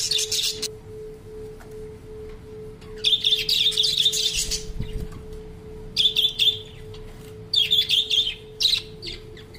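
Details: A Salvador budgerigar sings a happy song, warbling in bright chirping bursts of rapid high twittering phrases separated by short pauses, with music playing.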